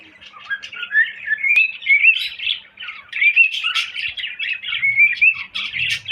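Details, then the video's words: Cockatiel warbling steadily, its whistled notes sliding upward in a long rising chain mixed with sharp chirps; one loud click partway through. "Bullo Cocktail Parrot Whistling"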